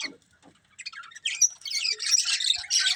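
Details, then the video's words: Budgerigars from a colourful breeding pair: a quiet start with a few scratchy notes, then a burst of loud high chattering chirps and squawks in the last half. "Cute Colourful Budgies Chirping Sounds"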